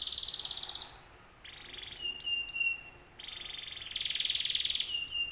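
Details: Lure song of a canary, played to get other canaries singing back: high buzzy rolls alternate with short pauses, steady vibrating trills and a couple of sharp clicks, ending in a long, intense rattling roll.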